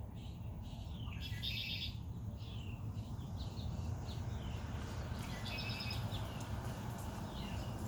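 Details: Red-winged blackbird by the beach at Rehoboth, Delaware: two short, rasping trills roughly four seconds apart, with a few faint chirps and slurred notes over steady low background rumble.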